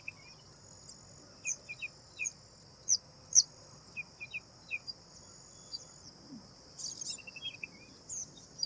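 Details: Black drongo (Dicrurus macrocercus) calling: short sharp chirps in pairs and loose clusters, with a few higher piercing notes and a quick rippling trill near the end, over a steady high-pitched insect drone.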